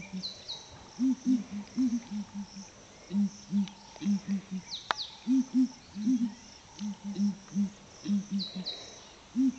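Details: Deep, resonant booming call of ground hornbills in the morning at Flatdogs Camp, rhythmic groups of two or three hollow booms, about twenty in ten seconds, with one sharp click, distant bird twitters and a soft insect hum.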